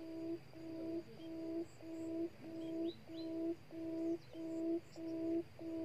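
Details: Decoy quail used to trap wild quail late in the season, giving a low, humming hoot, each note level and slightly buzzy, repeated steadily about every half second; a captured female is suspected to be about to lay. Faint high chirps behind.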